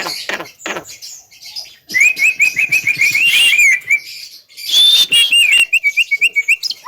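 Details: Javan myna singing: bursts of sharp, high, whistled chirps in rapid rising and falling runs, then a second burst ending in evenly spaced clipped notes about four per second.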